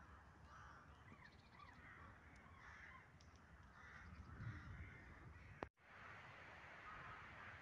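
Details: Jays giving harsh, rasping calls in short, irregular bursts over a low rumbling background, with a sharp click near the end.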